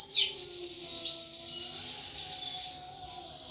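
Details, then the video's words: Pet thrush in a cage, singing in the ngeplong manner: two loud, high whistled phrases that dip and then rise, followed by quieter trailing notes, with a steady low hum behind. "Burung Anis "Ronggeng" Ngeplong Mabok berat"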